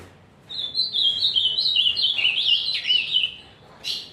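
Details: Azulão fibrado singing a single continuous phrase of about three seconds: fast, sweet, wavering high whistles ending in a drop, followed after a pause by a short sharp note.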